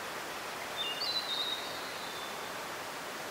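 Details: Blue-and-white flycatcher song recorded 26 April 2019 along a mountain stream in Nara, Japan: one short, high whistled phrase with a few linked notes, partly masked by loud, constant stream noise.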